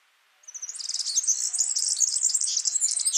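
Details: Singing yellow-fronted canary in nature: after a brief silence, a sustained run of very fast, high, sweet twittering and trilled notes that grows louder toward the end.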